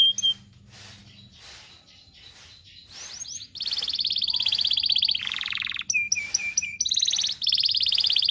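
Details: Canary song meant for tutoring young birds: quiet opening with faint notes, then loud rapid buzzy rolls and trills, a lower rattling phrase and short clipped whistles in the second half.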